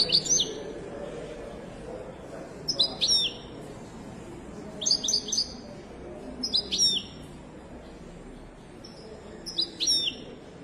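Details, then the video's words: Moroccan European goldfinch of the Wedani song style, from a bird market tour in Casablanca, Morocco; high, bright twittering phrases with sharp falling notes, each under a second, repeated about every two seconds over low background murmur. "تغريدة طائر حسون ويداني مغربي"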